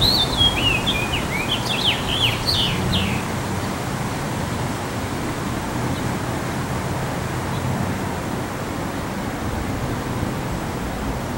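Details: House finch (Haemorhous mexicanus) song: a brief, jumbled warble of high chirping notes for about three seconds, then only steady wind or distant traffic rumble.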